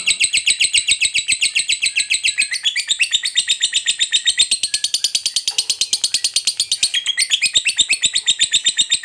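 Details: Lovebird delivering a drawn-out ngekek trill to provoke rivals, very fast shrill chattering pulses running nonstop, briefly rising higher in the middle before settling back.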